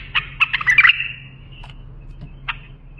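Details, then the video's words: Bulbul singing, for training young bulbuls: a rapid tumbling run of bright chirped notes in the first second, trailing into a held tone, then a few isolated clipped notes over a faint constant hum. "بلبل للساناته إبداع يفيد للتخريج صغار بلابل"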